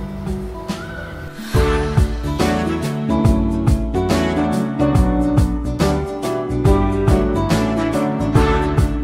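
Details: Instrumental music with plucked, guitar-like notes and a regular beat fills the recording, with no bird song audible.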